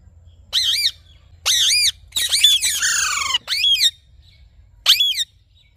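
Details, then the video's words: In the morning a rose-ringed parakeet gives drawn-out, wavering screeches, each about half a second long, one longer ragged cry falling in pitch in the middle, then a final short squawk. "Parrot Morning Sounds"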